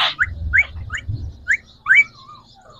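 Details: Caged green Pakistani talking parakeets, three rose-ringed birds, make short upslurred chirps and a sweeping whistle over a low rumbling background hum.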